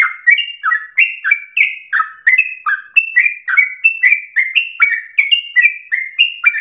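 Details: Sooty-headed bulbul in nonstop energetic song, used to stimulate singing and as a master recording: around twenty lively chirps in under seven seconds, each a high whistle dropping to a lower slur.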